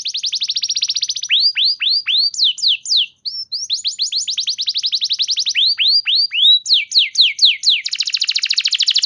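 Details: Canary song used as a lure to get other canaries singing: fast rapid trills of repeated notes, runs of downward-sweeping whistles, then a dense buzzy high roll, continuous and clean with no background noise.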